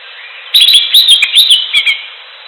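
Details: Greater green leafbird heard in the wild: a lively run of clear whistled notes, some rising and some falling, delivered quickly over about a second and a half, then fading out.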